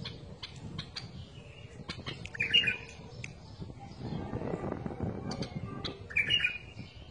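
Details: Two matching short, fluty, bubbling phrases from a bulbul, about four seconds apart, with clicks and a low murmur in the background.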